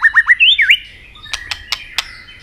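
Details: Brief robin song from Asia: three quick upswept whistles and a wavering phrase, followed by four evenly spaced sharp clicks.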